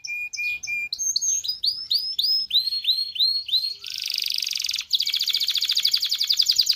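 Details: Canary song meant to stimulate mating: short paired whistles, a series of rising-falling arched notes, then a dense hissing buzz and a long rapid rattling trill.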